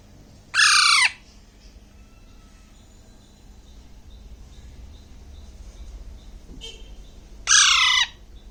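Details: Alexandrine parakeet baby, six weeks old, eating grapes in Bangladesh: a rough squawk, seven seconds of near quiet with faint rustles, then a second identical harsh squawk that sags in pitch at its close.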